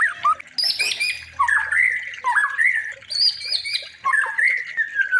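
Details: White-rumped shama song played to train other birds, made of rich, fluty slurred whistles wavering up and down, mixed with sharp high squeaky notes and brief harsh accents, delivered continuously with little pause.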